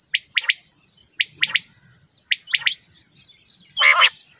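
Common quail male giving its sharp three-note 'wet-my-lips' call, one note then a quick pair, repeated about every second, over a steady high insect hum.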